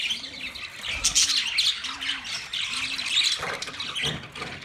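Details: Budgies chatter on November 19, 2023, with a continuous flow of high, grating chirps and squawks. A faint low hum pulses in the background at regular intervals.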